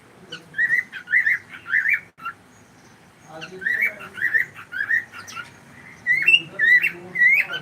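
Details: Live-streamed pet cockatiel chattering rapidly: three runs of quick warbling chirps, the last ending in a few rising whistled notes.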